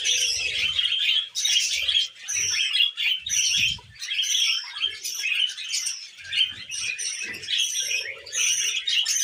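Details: Tame female budgerigar kept as a pet, giving a continuous chattering warble of scratchy chirps and short whistled notes, bursts roughly every second with brief pauses.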